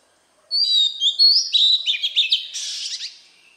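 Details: Oriental magpie-robin singing in wild-type voice to rouse newly caught birds: a sustained whistled high note, then a rapid run of sharp, varied chirps and slurred twitters, ending in a buzzy rasp.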